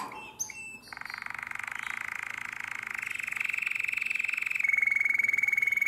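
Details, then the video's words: Nightingale-voiced style canary song from Drama, Greece, recorded in 2017: a short note burst, then a long continuous rolling trill that grows steadily louder and ends in a pure sustained whistle. "Αηδονόφωνο Καναρίνι"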